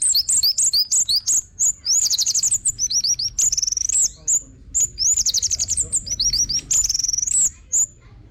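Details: Orange-headed thrush singing a fast, high-pitched stream of sharp whistled chirps and trilled runs, repeated in bursts with brief gaps. Used as a lure to get other birds singing.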